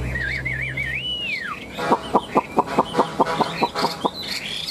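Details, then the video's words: Chinese hwamei in a cage, one of a tame pair competing in song, delivers wavy looping whistles and a long falling slur, then a steady series of about ten loud repeated notes. "Họa mi hót đấu"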